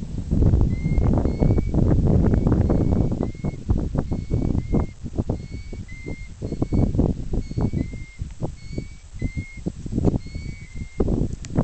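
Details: On the high moors of Buckden Pike, Yorkshire, a bird the recordist thinks is a plover, though unsure, gives clear, plaintive single whistles on one high pitch about every half second to a second, over heavy rumbling wind.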